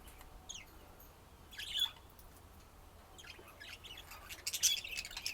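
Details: Budgerigar: soft, slurred squeaky notes, some gliding up or down, scattered through the clip and building to a denser, chattering flurry of chirps at the end.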